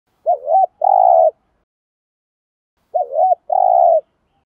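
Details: Caged spotted dove used as a decoy, cooing to lure wild doves: two clear low phrases, each a short wavering note then a long steady coo, about two and a half seconds apart, with silence between.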